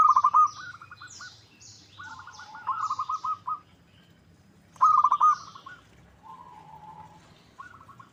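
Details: Local zebra dove used as a lure so rivals answer: repeated phrases of fast, bubbling coos, some louder and some softer, with a lower drawn-out coo between and high chirps from other birds throughout.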